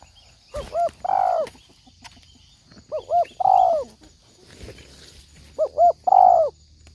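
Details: Spotted dove call used as a trapping lure: three low cooing phrases, each two quick short notes followed by a longer, drawn-out hoarse coo, spaced about two seconds apart, over quiet background.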